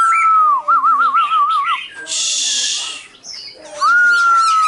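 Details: Silver-eared laughingthrush song: a long, clear, slightly falling whistle, then a rapid wavering warble and a harsh, noisy burst, closing with another long, steady, pure whistle.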